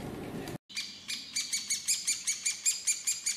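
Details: Woodpecker calling: after a brief low rumble and a short gap, sharp, bright, high chirping notes repeat about every quarter second in a steady series.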